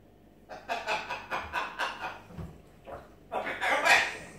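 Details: Pet macaw giving a run of harsh, raspy squawks in quick succession, about two or three per second, then a louder, longer burst of rough calls near the end, indoors.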